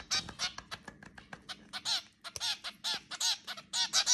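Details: Zebra finches feeding at home, with separate short honking beeps about two or three per second, softer and more spaced than a full chorus, over faint background rustle.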